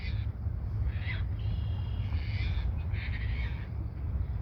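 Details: Red-winged blackbird singing at Montrose Point Bird Sanctuary gives short harsh notes and a drawn-out, high-pitched buzzy trill beneath heavy wind rumble.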